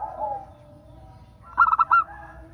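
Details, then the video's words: A single song phrase from a local zebra dove, meant to prompt others to sing: a soft lower sound first, then a quick run of four crisp cooing notes. "Pancingan perkutut agar bunyi"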